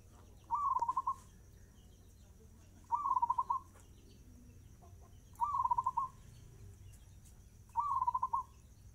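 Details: Four evenly spaced phrases of fast-tempo zebra dove song, each a swelling whistled start breaking into a rapid stutter of cooing pulses, recurring about every two and a half seconds over a low background hum.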